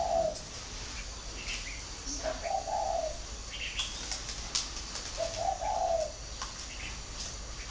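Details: Captive-bred spotted dove from a bird farm in Ba Vì, northern Vietnam, cooing in three low, hollow phrases about every two to three seconds, with brief higher chirps from other birds and a steady hiss behind them.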